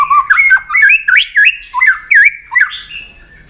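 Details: White-rumped shama singing a long fighting song while flicking its tail to provoke a rival; a fast run of loud whistled, sweeping notes rising and falling between low and high pitch, about eight phrases in quick succession, ending in a fading trill.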